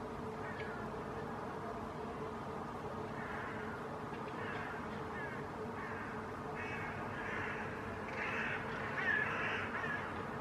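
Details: Hooded crows in Helsinki, Finland, in October 2020, mobbing a hawk (possibly a Northern Goshawk) standing on a rooftop, give harsh, hoarse caws in rapid, uneven bursts that grow louder toward the end, over a steady low hum.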